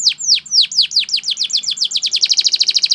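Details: Singing Belgian canary used for song training: a series of loud downward-slurred chips that speed up steadily into a fast, tight trill.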